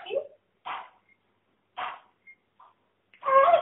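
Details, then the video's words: A female talking parrot calling to her friend speaks in short, voice-like word bursts, five or six separate utterances in under four seconds, ending in a louder, rougher phrase. "BEST TALKING PARROT IN THE WORLD"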